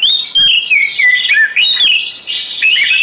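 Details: Oriental magpie-robin (kacer) singing sweet, slurred whistled phrases that rise and fall, with a brief buzzy burst near the end, played for meditation and therapy.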